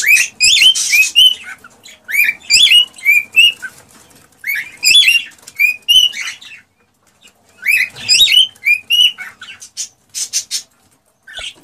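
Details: An aroused male cockatiel sings to get a female to mate and produce young: repeated phrases of sweeping whistles and chirps with strong overtones, grouped in three long bouts split by short silences.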